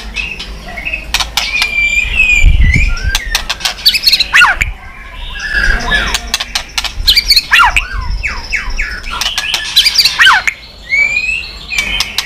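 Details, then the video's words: White-rumped shama, stimulated to sing and flicking its tail. Varied song with loud slurred whistles and chattery bursts, broken by sharp clicks and low thuds, over about twelve seconds. "chòe lửa tạch đập đuôi sàn cầu dùng kích lửa cho chòe lửa lên lửa cực nhanh hót"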